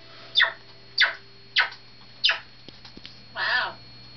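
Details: A pet male mitred conure, known to talk and laugh, gives four harsh, raspy squawks about a second apart, then a longer, throaty, voice-like sound, likely mimicked laughing or talking, in a quiet room.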